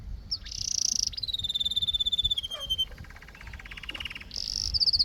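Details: Canary singing: long high sustained whistles and buzzy tones, a steady descending whistle, then a fast even rattling trill before bright high whistled notes return at the end.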